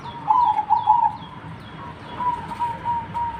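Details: Zebra dove (perkutut) cooing in rolling, slightly stuttered notes, one louder burst followed by a softer repeated phrase, while another small bird adds high thin chirps.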